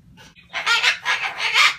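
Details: Male pet sulphur-crested cockatoo ranting with loud, rough, throaty squawks in quick succession after a soft opening note.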